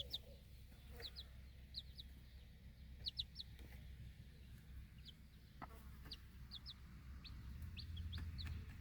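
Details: Four baby chicks feeding outdoors beside their watchful mother hen in a backyard flock; rapid high, falling peeps come in pairs and bursts throughout, against steady low background rumble.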